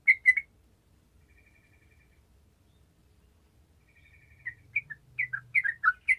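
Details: Sooty-headed bulbul in gacor song, aimed at waking lazy bulbuls into song: two quick loud notes, a long near-silent pause, then a run of clear whistled slurs with a soft low hum underneath.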